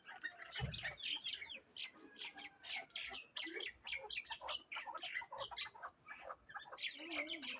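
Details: Tethered hunting chukar partridge of Darvoz stock in Tojikobod district, Tajikistan; busy stream of scratchy chuck notes and short squeals, with a low thump near the start.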